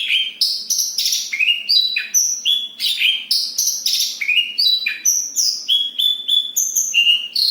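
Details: Energetic dense rolling song of a Javan bush lark, Kediri: varied quick notes, with rising and falling whistles, short trills and high sharp chirps, strung together at a brisk, slightly irregular pace.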